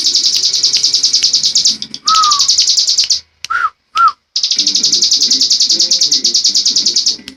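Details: Ciblek gunung prinia delivering a ngebren song: long runs of fast, shrill, buzzing trill interrupted by short gaps and a few lower curved whistled notes, with faint low chatter beneath.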